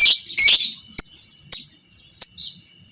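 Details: Lovebird of the fighter type, recorded as masteran training sound for other lovebirds: two harsh buzzy bursts followed by sharp single high chirps spaced about half a second apart, with a faint steady background tone.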